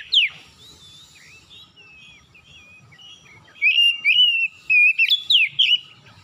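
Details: Oriental magpie-robin singing a vigorous morning lure song with imitated phrases. Soft, wavering warbles lead into loud, repeated whistles with quick slurs near the end.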